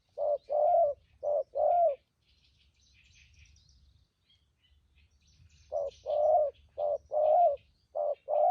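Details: Spotted dove, a strong-voiced wild-caught decoy, gives a few short-long coo pairs, falls silent for several seconds amid low background rumble and small-bird chirps, then resumes its rhythmic thúc gù cooing.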